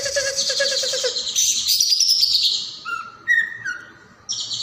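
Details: Leafbird song from a recording used to train other songbirds: a pulsing buzzy note slides downward, then clear whistled notes at different pitches and a final high buzzy phrase.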